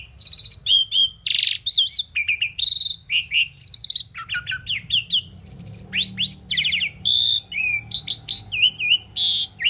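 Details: Talking Indian pied myna producing a dense run of varied vocal notes: whistled slurs, rising and falling sweeps, and harsh buzzy bursts in quick succession, with barely a pause between sounds.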